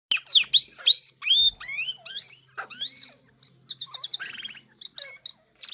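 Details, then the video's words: Irani king jal singing: a fast run of loud rising and falling whistled notes, then softer, thinner chirps and short clicky trills separated by brief pauses. "irani king jal singing Bird"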